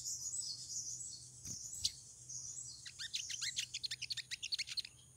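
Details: Female pied triller in heat, calling to draw in a male: high buzzy twittering at first, then a fast, even series of about fifteen sharp, downslurred chirps, over a faint steady hum.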